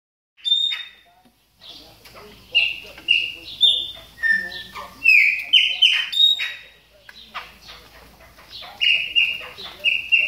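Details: A chopi blackbird warming up its calls during moult gives loud, liquid whistled notes and short clear phrases in quick bursts, some rising and some falling.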